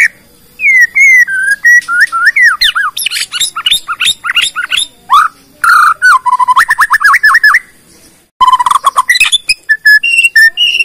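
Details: Bornean white-rumped shama performing a full lure song to set other shamas singing: rich downslurred whistles, fast scratchy chatter and rapid repeated notes, with a brief pause before another burst of varied phrases.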